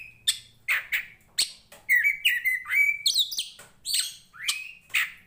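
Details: Fighting Oriental magpie-robin of the poci Tretes type, singing actively: sharp clicks and harsh notes alternate with clear drawn-out whistles and warbled phrases, delivered in bursts under a second apart. Used as training audio for other birds.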